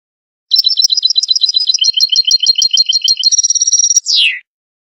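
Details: Goldfinch song serving as a trapping lure. Rapid paired twitters, then a rhythmic series of lower chirps, a fast trill and a final buzzy falling slur, with silence before and after.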